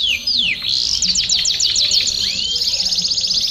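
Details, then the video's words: Domestic canaries singing as a flock to prompt singing; sweeping chirps and a string of sharp repeated notes lead into a fine rapid rattling trill. "BADERNA DE CANÁRIOS DO REINO - TOP PARA ESTIMULAR O CANTO!!!"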